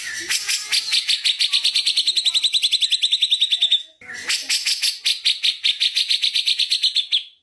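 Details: Magpie-robin masteran recording: two long rapid trills of sharp, evenly pulsed high notes, each lasting about three and a half seconds and sliding slightly downward in pitch, separated by a brief pause.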